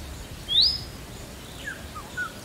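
An Indian robin gives one clear, high, rising whistle, followed by two faint, short high notes, over a steady low rumble of background noise.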